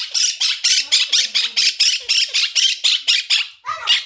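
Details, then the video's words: Pet Quaker parrot (monk parakeet) screaming: a fast run of harsh, raspy squawks, about a dozen in four seconds, evenly spaced, each a broad grating burst. A short pause comes before a final squawk. "Quaker Parrot Talking / Screaming / Quaking"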